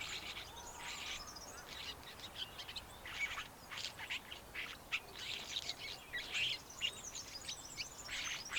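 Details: Cape sugarbird giving a busy run of scratchy, buzzy chirps and short metallic notes, high-pitched and tightly packed across several seconds, with a steady faint background hiss.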